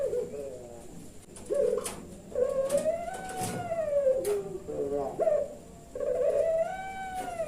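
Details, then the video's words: Farm-kept puter pelung turtle dove, Kebumen, Central Java, Indonesia, in its 'nembak' coo: a rising first note, a long smooth arched hoot, then a brief hitch before the next long tone, phrases repeating steadily. "BURUNG PUTER PELUNG SUARANYA NEMBAK NEMBAK"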